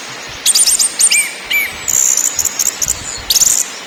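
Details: {'text': 'Lure recording of orange-headed thrush in ngakrak, ngeplong and nyiul styles: a quick run of short high chips and a falling whistle, then a rattling trill sequence ending in a bright upward flourish.'}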